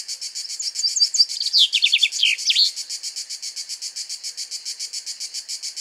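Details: Male common chaffinch singing from a pine tree in the Greek countryside. A fast, descending rattling trill ends in a brief flourish, set against a loud, steady, pulsing insect chorus.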